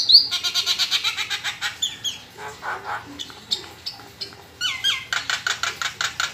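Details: Nias hill myna kept as a songbird, giving fast harsh rattling notes, slurred whistles and hoarse squawks in a varied, busy sequence with rhythmic repeated bursts.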